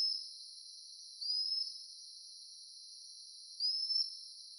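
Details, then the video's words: Common Sandpiper (Actitis hypoleucos) at Sungei Buloh Wetland Reserve mangroves, Singapore, giving two thin, high, rising whistled calls about two seconds apart over a steady background hiss. "Calls of a Common Sandpiper"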